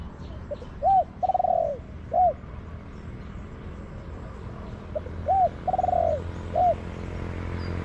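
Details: Wild spotted dove calling to a decoy in a garden; two phrases roughly four seconds apart, each soft lead-in notes, a short coo, a long purring coo and a closing short coo, faint chirps behind.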